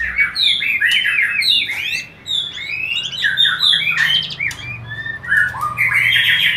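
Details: White-rumped shama singing as a lure to bring on mating: a rapid, dense stream of varied chirps, short whistles and trills in a busy, excited delivery, with one brief pause near two seconds.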